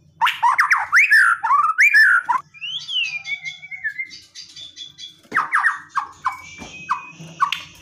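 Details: White-rumped shama in aggressive, provoking song: loud swooping whistles at first, a thin descending trill in the middle, then clipped repeated notes and sharp accents.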